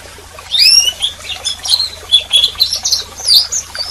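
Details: Soft, high twittering canary calls, short squeaky notes and chirps spread irregularly over a few seconds against a light background hiss.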